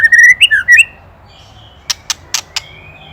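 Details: White-rumped shama from Indonesia, recorded as a master for training songbirds: a fast run of clear whistled notes near the start, then a pause and four sharp dry clicks of ketrekan rattling.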